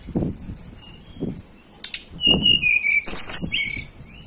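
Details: Native mountain blue flycatcher from Banten and West Java, Indonesia: a sweet whistled phrase of level then falling notes, a wavering high trill near the end, with low thumps and handling knocks underneath.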